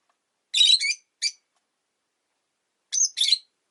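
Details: Shrill, grating chirps from caged rosy-faced lovebirds, five birds near a window in winter. They form two short clusters, each a loud buzzy note followed by a quick second one.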